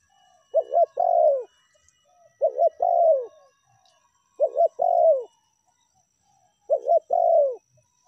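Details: Tekukur, the spotted dove, calling in a lure recording of meratus and melambung styles: four steady phrases roughly every two seconds, each two clipped coos then a drawn-out descending coo, with no other sounds.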